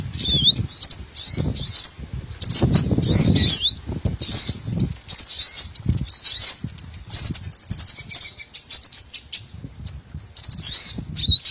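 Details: Lure recording of small birds for trapping any small bird species: long stretch of rapid, high, zigzagging whistled notes and twitters, nearly continuous, with bursts of low rustling noise underneath.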